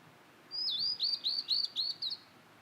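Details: Wild Blue-and-white flycatcher singing in satoyama countryside: a run of about six clear, high whistled notes, each sliding downward, delivered rapidly over under two seconds against a quiet background.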